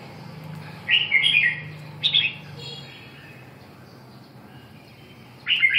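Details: Red-whiskered bulbul giving short, rich warbling phrases, two close together near the start and another at the end, separated by quiet gaps over a low steady hum.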